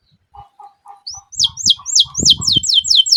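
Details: Canary song starting with soft low chirps, then building into loud repeated high descending whistled notes, with knocking sounds in the background.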